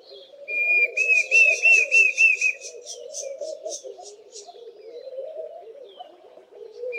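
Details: Diederik cuckoo giving its loud whistle-like call: a rapid string of clear, high, slightly wavering whistled notes lasting about two seconds, while laughing doves coo steadily and softly in the background throughout.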